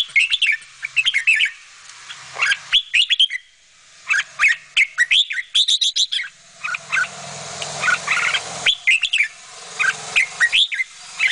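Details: Bulbul mother bringing food to her babies; clusters of rapid high chirps and bright whistled notes, repeated in bursts every second or so, with a faint low hum underneath.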